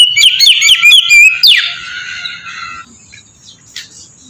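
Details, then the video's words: Ngeplong song from an Oriental magpie-robin, used to trigger singing in other magpie-robins. A burst of fast repeated chirped whistles and a harsh downward sweep, then the sound fades to near quiet. "suara burung kacer ngeplong merdu sangat ampuh buat pancingan kacer bahan bikin cepat gacor"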